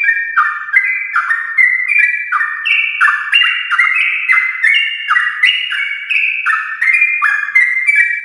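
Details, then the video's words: Sooty-headed bulbul in morning 'ropel' song, played to encourage other bulbuls to join in: fast, unbroken run of liquid, downslurred phrases stacked over one another, bright and full throughout with no gaps. "trucukan gacor ropel panjang Perangsang biar trucuk aktif ropel saat pagi hari"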